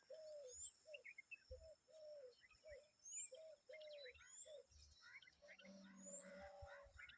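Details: Adult common babbler and her babies calling together: short low nasal notes repeated about every half second, mixed with scattered higher chirps and faint brief high whistles, over a soft background hiss.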